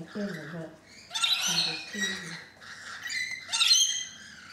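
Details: Rainbow lorikeets visiting a balcony, thirteen present, give harsh, screechy squawks in bursts with rich harmonics, overlapping one another, while a person talks quietly at the start.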